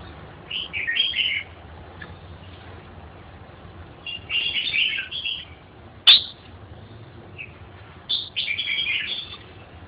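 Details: Red-whiskered bulbul singing in three bright warbled phrases spaced about three seconds apart, each a quick run of whistled notes, with one sharp click between them over a low background hum.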